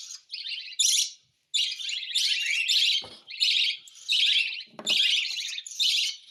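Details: A cockatiel begs while being hand-fed. It gives a steady run of gritty, buzzing rasps, about eight bursts with short gaps, and two soft low knocks or thumps come between them.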